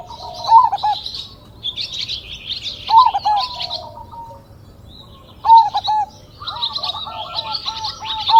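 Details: Zebra dove of a crossbred line, noted for a big voice and single vocal style, repeating a deep rolling coo with stuttered notes about every two and a half seconds while small birds chirp high in the background.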